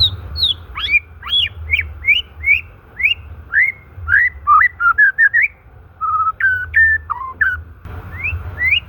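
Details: Natural white-rumped shama song used to coax stalled or stressed shamas into singing: high descending whistles, then a string of rising slurred notes about three per second, rapid chattered phrases, flat whistles and more rising notes.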